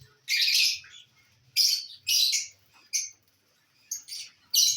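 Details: Loud, harsh, buzzy squawks from lovebirds eating corn on the cob, 18 December 2022, each burst lasting under a second and spaced by short silences.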